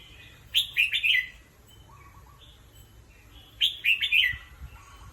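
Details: A caged red-whiskered bulbul kept as a singing-competition bird, resting, gives two bright, bubbling phrases of three or four quick warbled notes about three seconds apart, with soft chirps and faint background hum between.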